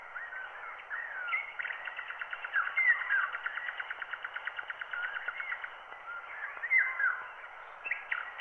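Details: Wild bird songs recorded by microphone and transferred to a black wax cylinder at 90 rpm; narrow, muffled band of whistled slurs and a rapid, evenly pulsed trill running through the middle, over steady surface hiss.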